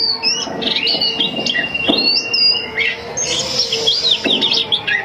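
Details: Female Oriental magpie-robin singing to lure males: rich, varied whistled phrases, high and sliding, with quick twittering notes and a long steady whistle, over a faint low hum.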